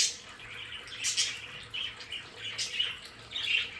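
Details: Captive budgerigars in their play area make a short run of bright chirps and grating warbled notes, spaced in small clusters.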